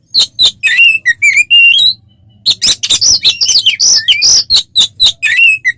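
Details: Fighting-style 'ngeplong' song of an oriental magpie-robin, played to rile other birds: a burst of sharp chattering and slurred whistles, a brief pause, then a dense run of loud varied notes and scratchy rasps.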